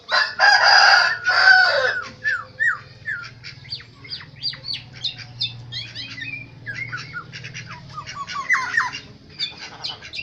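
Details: Black-naped oriole native to Aceh, Indonesia: a loud harsh, rasping burst opens, followed by a long run of varied short whistled and slurred notes, quick and irregular, with high chirps mixed in.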